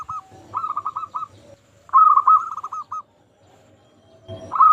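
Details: Zebra dove song for encouraging other doves to sing: short bursts of rapid bubbling coos separated by quiet stretches, ending in another loud burst.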